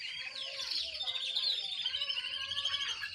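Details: Young canary learning to sing: a continuous, high-pitched warbling stream of rapid trills and twittering notes, fairly soft and unbroken for about three seconds.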